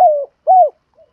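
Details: Spotted dove lure call of the gù thúc type, made to excite wild doves for trainers. Two smooth, low, hollow coos, each slightly falling, then a faint third note.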